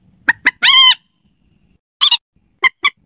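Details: Night lure recording of a slaty-breasted rail: two short sharp notes, a long harsh wavering screech, a pause, a brief rasping burst and two more crisp notes.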